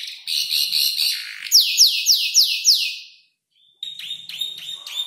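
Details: Five-month-old canary learning to arrange its song from tutor birds, including mimicked ciblek, klik-klik and prenjak lumut notes: buzzy high trills, then a run of loud down-slurred whistles, a pause, and rapid ringing notes.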